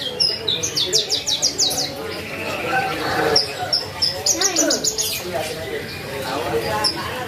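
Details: A Javan bush lark sings a fast, varied run of high chirps, trills and buzzy notes in quick bursts, with a person's voice speaking over parts of it.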